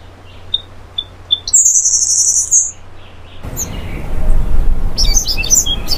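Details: Black-faced grassquit (Melanospiza bicolor) song: a few soft chips, then a thin, very high, insect-like buzz lasting about a second, over low rumbling background noise and other faint chirps.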